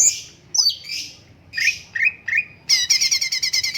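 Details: A stripe-throated bulbul (cucak cungkok) sings varied high slurred whistles and quick falling phrases, then breaks into a rapid, rattling series of bright notes at the end.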